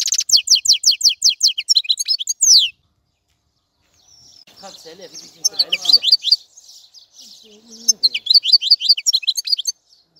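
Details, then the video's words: European goldfinch twittering in fast high trills, then a quiet gap followed by softer chatter mixed with faint voices, and a final burst of high twittering. "تغريد طائر الحسون | فيديو رائع لتغريد الحسون"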